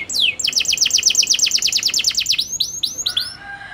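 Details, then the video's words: A local canary sings a fast trill of about a dozen sharp, high downslurred notes. A descending sweep opens it, and a few ringing rising slurs close it. "Kenari Lokal Gacor Cengkok Super Mewah"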